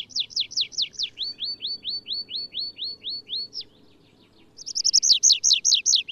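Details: Wild Atlantic canary (Serinus canaria) singing: rapid trills of repeated downward-sweeping whistled notes, a long run of rising hooked notes, a brief pause, then a bright, faster trill. A faint low hum sits beneath.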